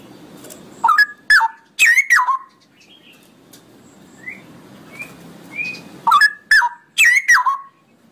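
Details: Cucak rowo singing a long ropelan song: loud, gurgling, swooping phrases, then a spell of faint, thin, spaced whistles, then another burst of strong liquid notes.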